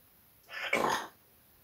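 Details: Pet parrot swearing at the cat indoors: a single harsh, raspy, voice-like burst lasting about two-thirds of a second, gravelly and broad in tone, with a quiet room before and after.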